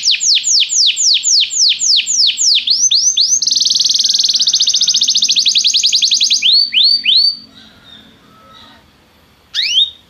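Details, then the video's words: Belgian canary song played as singing training: repeated down-slurred whistled notes, a fast dense trill in the middle, then more slurred notes before a brief quiet pause and a final note. "Estimulação para que o seu canário cante com diligência - o melhor treino para canário belga"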